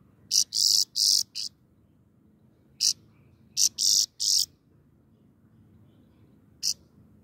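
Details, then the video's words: Grey-crowned goldfinch delivering clusters of loud, rasping high buzzes in short groups of three or four, separated by pauses, with one lone note near the end. "The singing goldfinch is the best"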